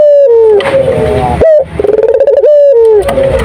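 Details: A turtle dove sings actively: a clear coo falling slightly in pitch, a short rising note, then a quick pulsing stretch of coos at one steady tone.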